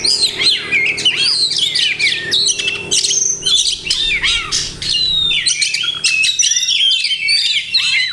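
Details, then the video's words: Oriental magpie-robin in captivity singing a loud, varied mimicking song, mixing harsh squawk-like notes with bright downslurred whistles and quick chatters in bursts, faint hum beneath. "Banyak Masteran iNi Kacer"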